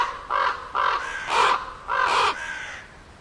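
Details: A crow gives four loud, rasping caws, each about half a second long, evenly spaced with short pauses, the middle and last ones harshest.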